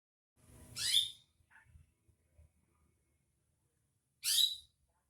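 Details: Greater green leafbird, used as a lure sound to prompt a bird into singing: two loud, harsh, rasping bursts sweeping downward, about three seconds apart, with a faint short note between them, otherwise quiet.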